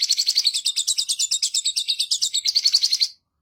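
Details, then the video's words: Sooty-headed bulbul singing hard with rich fill-ins: a fast, even trill of high chirps, around eight per second, for three seconds, stopping abruptly. "Sogon Gacor Dorrrr Isian Mewah"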